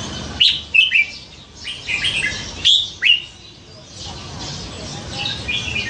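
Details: Pet red-whiskered bulbul, raised in captivity nine months and known for a wide variety of song phrases; lively series of clear, warbling whistles in short bursts, some rising, some dropping, with brief pauses between.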